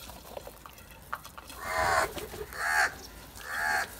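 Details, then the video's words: Crows giving loud calls; three harsh, drawn-out nasal caws, each lasting about half a second, about a second apart, with faint clicks and knocks before them. "Crows make loud call"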